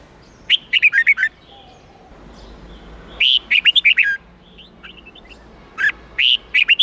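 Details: Red-whiskered bulbul, 8-9-10 note song for training young birds in the standard wild style. Three phrases of quick, bright whistled notes follow one another about every two and a half seconds, with faint softer chirps in between.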